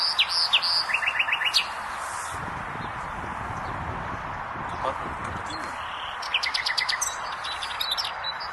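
A nightingale sings in varied bursts: high whistles, rapid repeated chips and a quick rising series, with pauses between phrases over a steady background hiss.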